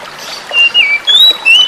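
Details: Oriental magpie-robin song from a forest-caught young bird, used as therapy to coax silent birds into singing, over running water; four clear whistled notes, level then gently falling or rising, with short gaps.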